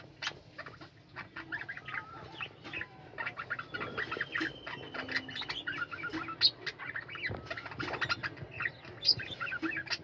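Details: A captive colony of budgerigars, flying room available, chattering in a constant mass of warbles, squeaky chirps and long thin whistles, with occasional louder sharp notes.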